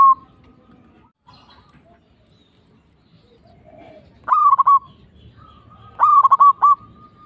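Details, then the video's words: Local zebra dove calling as a lure for other zebra doves to answer. After a quiet stretch come two stammering phrases of quick cooing notes, with faint soft cooing in the background. "PANCINGAN PERKUTUT LOKAL PALING AMPUH"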